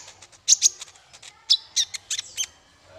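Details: High, rapid twittering from a male olive-backed sunbird, used as a tutor recording for songbirds. Bright sharp chirps come in uneven bursts, with short thin whistles in between and a faint low hum underneath.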